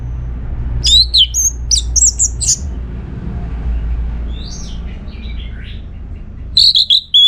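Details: Song of an orange-headed thrush, played so other birds will answer: clusters of bright, rapid notes in two short bursts, softer lower notes in between, and a final high whistled phrase over low hum.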